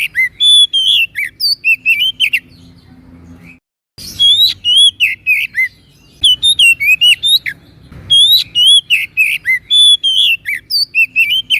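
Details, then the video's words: Oriental magpie-robin, known locally as kacer, in lively gacor song for masteran training: long runs of quick, bright whistles and buzzy slurred notes, with two brief silent pauses between phrases. "MASTERAN BURUNG KACER GACOR"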